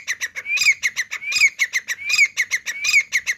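A partridge calls in loud, harsh, strident phrases, each with a rising shrill note, repeated about every three-quarters of a second.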